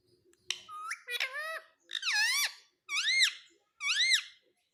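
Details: A pet green parrot gives five loud, squeaky, harmonic-rich calls, roughly one per second. Each call swoops downward and then arches up again, with silence between calls.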